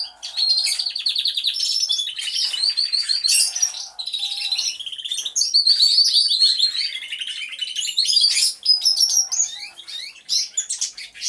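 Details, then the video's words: Canaries singing together inside an aviary, real unstaged sound. High rattling trills, rolling warbles and thin sustained whistles rise and fall in overlapping bursts, with brief lulls between the louder phrases. "CANTO DE CANARIOS | AVIARY SOUNDS (SONIDO REAL DE UN AVIARIO DE CANARIOS)"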